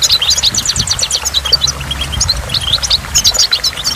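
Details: Goldfinch at a waterfall, pouring out fast, tinkling high chirps and trilled phrases almost without a break, with a low wash of falling water beneath.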